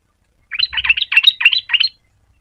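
A yellow-vented bulbul gives a quick burst of bubbly, liquid notes, about six phrases in a second and a half, bright and fairly high-pitched.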